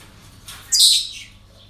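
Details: Parrot calling at a breeding centre with one loud, harsh, hissing screech of about half a second, preceded by a softer rasp, over a quiet background.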